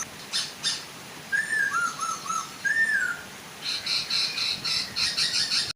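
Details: Chinese hwamei, male and female singing to attract other hwamei into song, over a soft waterfall: a few slurred whistles and short falling notes, then a run of harsh, rapid buzzy chattering.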